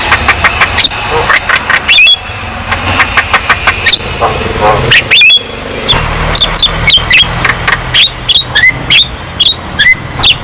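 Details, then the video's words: Javan myna song played to get lazy birds singing: dense stream of short sharp notes, whistled upsweeps and rasps, with vehicle noise throughout. "KICAUAN JALAK KEBO GACOR | Terapi Ampuh Untuk Jalak Kebo Yang Malas Bunyi"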